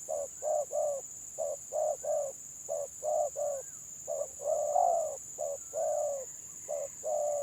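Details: Spotted doves in a village-style 'gagap' (stuttering) song contest, gelang patah style: short low coos in quick irregular bursts, some paired, one longer drawn note mid-sequence, with a steady high electrical whine throughout.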